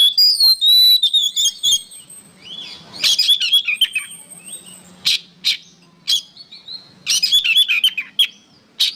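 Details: Oriental magpie-robin song used as songbird training material. It opens with loud, sweet, descending whistles, followed by bursts of harsh chattering. Scratchy notes and quick warbles alternate after that.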